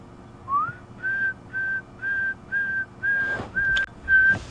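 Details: Pearl-spotted Owlet heard at sunrise on 21 August 2015 during a safari drive gives a rising whistle, then a steady run of clear, level whistled notes about two per second; faint clicks and rustles near the end.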